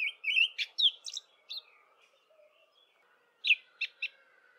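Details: An olive thrush sings its dawn chorus song in early spring: short, clear warbled phrases of high whistled notes with pauses between them. A faint steady hum runs underneath.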